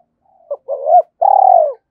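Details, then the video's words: Decoy spotted dove with a thổ-style voice, used to lure wild birds: a short soft note, a rising-then-falling coo, then a long purring, slightly descending coo, all clean with no background. "Chim Cu Mồi _ cu gay kich boi nhanh noi gù"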